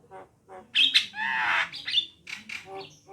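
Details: Javan myna song, with female and male birds both named: harsh squawks and grating bursts mixed with short whistled notes. A broad, noisy rasp in the middle, then clipped chattering phrases.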